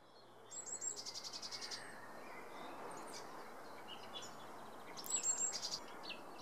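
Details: Male Eurasian blackcap giving two short bursts of hard, rapid ticking notes several seconds apart, with a thin high whistle and steady background hiss.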